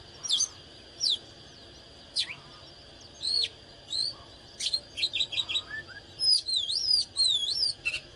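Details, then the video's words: Oriental magpie-robin singing and displaying in an agitated state: isolated sharp whistles, then a rapid string of short ticking notes and a final run of looping, warbled whistles, with a steady high tone in the background. "เสียงนกกางเขนบ้านหรือนกบินหลาขี้ควายใต้ Chích chòe than CHÒE THAN CĂNG LỬA HÓT MÚA CỰC HAY"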